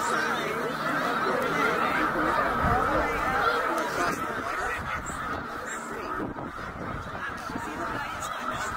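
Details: Huge migrating flock of about eighty thousand snow geese at Middle Creek, Pennsylvania, in 2023, heading back north. A dense, continuous roar of overlapping honking calls from countless birds, with faint voices in the background.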